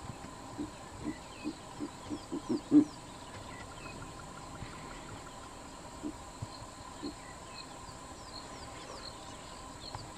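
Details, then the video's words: Daytime calling of a Verreaux's eagle-owl perched up in a tree, Kruger National Park. Deep, soft grunting notes repeat faster and louder to a peak, then quiet background with thin high twittering of other birds. "Verreaux's eagle-owl calling up in a tree"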